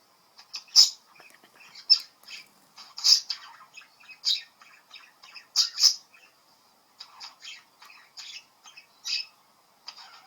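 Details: A 10-week-old pet budgerigar chatters at a bird on a screen in bursts of bright, scratchy squawks and chirps.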